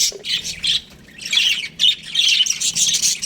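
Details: Baby budgerigars in an aviary chirping in scratchy, buzzy bursts, several overlapping calls in quick clusters with a short pause midway.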